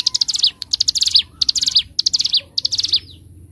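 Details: Bar-winged prinia in lively, long-running ngebren song used as a master recording for training birds: about six quick phrases of bright, high staccato chirps, each ending in a downward-slurred note.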